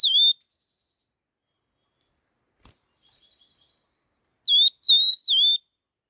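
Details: Laughingthrush in 'hót kích nhanh' fast song: one clipped whistle at the start, a click and faint twittering in the quiet middle, then a rapid trio of loud downslurred whistled notes.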